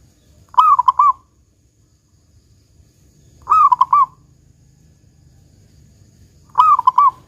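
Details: Three rolling, quavering coos from a local zebra dove in the big 'kung' style, a lure for prompting other doves to sing; each phrase wavers quickly on one mid pitch, repeated every three seconds, with faint low hum beneath.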